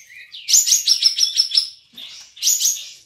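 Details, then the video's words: Caged cream-vented bulbul (kapas tembak) from Singkawang, West Kalimantan, competing online: a rising whistle leads into a fast run of about eight pulsed chattering notes, a short note, then another buzzy burst. "LOMBA KAPAS TEMBAK ONLINE 5 - Aksi KAPAS TEMBAK"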